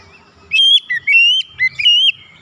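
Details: Oriental magpie-robin song played as therapy for stressed or silent magpie-robins; a single short phrase of long, pure whistled notes, some dipping low and others drawn out evenly, over a faint low murmur.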